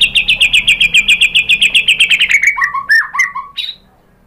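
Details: White-rumped shama song used as a lure to provoke other birds into singing: a fast run of about sixteen identical high chipping notes, then several lower, clear slurred whistles that fade out.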